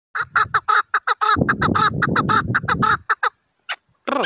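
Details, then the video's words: Chukar partridge calling a rapid series of about thirteen short, harsh, clucking notes in three seconds, uneven in spacing, over a brief burst of low rumbling noise, then a pause and two or three more scattered notes. "GÜZEL KEKLİK SESİ"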